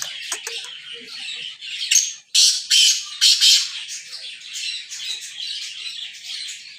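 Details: Black francolin from Sindh calling: harsh, rasping squawky notes, with a run of four loud grating bursts in quick succession amid a steady hiss.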